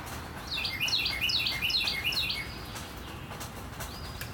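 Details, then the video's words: Northern cardinal singing on a rainy morning: a quick run of about seven clear, downslurred whistles over under two seconds, then silence under the steady patter of rain. "Cardinal singing in the rain 雨の朝のカーディナル"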